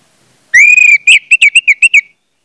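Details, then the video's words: Lure song of an orange-headed thrush, meant to get other thrushes singing: a long, sustained clear whistle followed by a fast string of short, sharp whistled notes. "pancingan anis merah bikin anis merah lain cepat ngeplong"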